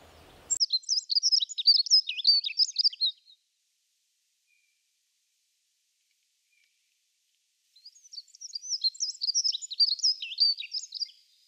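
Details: A dunnock sings two quick, jingling warbles of high squeaky notes, each about two and a half seconds long, separated by a pause of several seconds.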